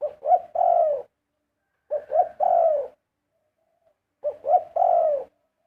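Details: A zebra dove sings three phrases, each two staccato rising coos followed by a sustained, slightly buzzy coo that falls at the end, spaced nearly two seconds apart.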